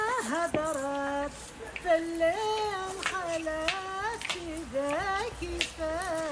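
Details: A child and a woman singing a melodic tune with clear held notes, with some handclaps; no animal sound is heard.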